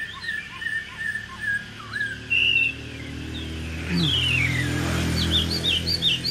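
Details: Caged Chinese hwamei, placed top 10 at Thanh Trì in 2019, gives sparse short whistles and a buzzy phrase, then a long descending slurred whistle over a burst of low noise, followed by high chirps.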